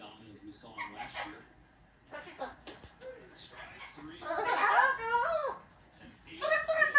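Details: Amazon parrots singing, talking and making noise through a repertoire that includes opera, police sirens and Pac-Man sounds: speech-like mumbles and squawks, then a loud wavering, harmonic wail midway and another rising burst at the end.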